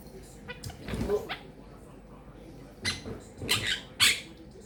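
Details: Pet female Quaker (monk) parakeet chattering indoors: a low, mumbled phrase, then three bright, raspy, speech-like bursts in quick succession; she mimics phrases like "peekaboo", "making bacon pancakes", "give me a kiss" and "thank you baby".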